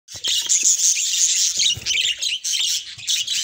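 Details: Captive budgerigars, kept for breeding and including colour mutations, giving dense, fast warbling chatter. High twittering notes and short squeaks overlap continuously, with occasional brief pauses and faint low thumps beneath.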